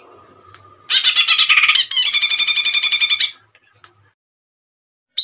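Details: Greater green leafbird in gacor song with tembakan bursts, meant for training and therapy of kept birds: after faint low hum, a harsh scratchy burst, then a steady rapid buzzing rattle lasting over a second, followed by near silence.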